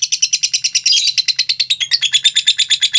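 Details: Mentil lovebird giving a long ngekek trill: a fast chain of high, buzzy chattering notes, about seven per second, running unbroken for three seconds with a brief smeared burst near the one-second mark.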